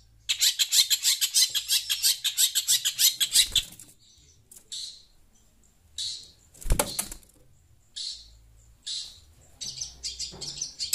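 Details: Pentet shrike reacting to phone sound: an opening stretch of very rapid, harsh, buzzy chatter, then scattered single rasping chirps spaced about a second apart, with one loud broadband thump or flutter midway.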